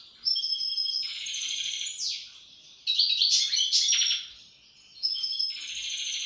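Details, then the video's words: European goldfinch in full song: sustained fast twittering with nasal buzzy trills and sweeping chirps, pouring out in three long phrases. "استمتع مع طائر الحسون"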